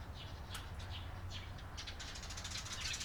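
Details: Eurasian tree sparrows on 28 April 2022: a few spaced sharp chirps at first, then a fast, dense chattering series toward the end, over a low background hum.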